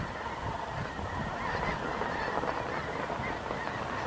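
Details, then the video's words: Snow Geese flocks circling round and round at nightfall, looking for a place to settle in New Mexico desert winter quarters in November; a massed, unbroken din of overlapping honks from countless birds, swelling slightly midway. "round and round they go looking for a place to settle [Applause] [Applause] [Applause] Nightfall"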